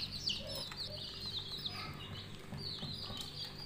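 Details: Coloured budgerigar chicks make high, sliding chirps and a few lower squeaks, overlapping over a humming background with light rustles.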